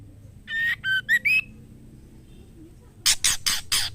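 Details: Female white-rumped shama calls for a mate: four quick whistled notes, the last rising and trailing, then a short pause and four coarse, scratchy rasping notes in an even rhythm.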